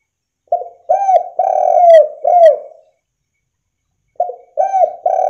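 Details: Spotted dove calling to spur other doves into singing, giving a phrase of short hooked coos, a long sustained coo and a falling end note, then a pause before the next phrase begins with quick clipped coos.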